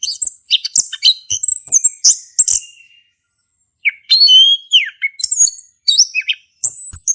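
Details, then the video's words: Male orange-headed thrush ngeplong song for prompting a mute bird; a fast burst of high chirps, then about a second of silence, then clear whistled slides and sharp notes resume. "Anis Kembang Jantan Gacor buat pancingan anis kembang macet bunyi"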